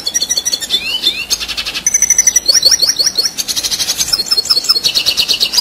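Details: Energetic 'ngerol' song of a red siskin, used as tutor material for contest birds: a continuous, very fast twittering with rising and falling whistled slurs and buzzy trills packed tightly together.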